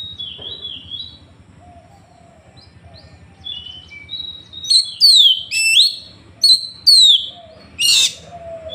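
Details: Oriental magpie-robin in Trenggalek, Indonesia, recorded by Android phone, starting with soft thin whistles and building into a burst of loud sharp downslurred notes, about six in three seconds, as its rival-beating 'tembakan' phrases.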